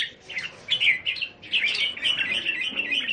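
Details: Several caged red-whiskered bulbuls kept at a Thai home, 27 January 2021, pour out continuous bubbly warbling and chirping notes that run together with scarcely a pause.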